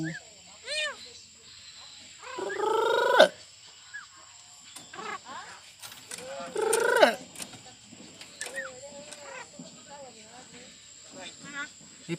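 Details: Pet Javan myna owned by a family member in Indonesia, mimicking human speech: loud bursts of voice-like harmonic phrases with rising and falling sweeps, plus clicks and short chirps between them, over a steady electrical hum and people's voices.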